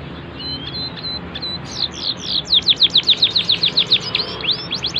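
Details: Canary with a fine cengkok song style, used as a master recording for training young birds: a few thin whistles, then a fast run of bright downslurred notes about four per second, ending in rising sweeps.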